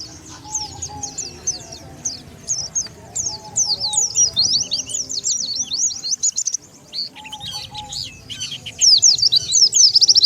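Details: Luring call of the Oriental white-eye for wild birds: quick, high twittered chirps rising and falling, about three or four notes a second, growing busier and louder toward the end.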